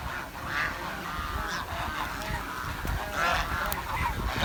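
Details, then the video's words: Village swan giving short nasal honking calls with harmonic tones, several in a row across the clip, over steady rumbling background noise. "The Chirping Sound of The Village Swan"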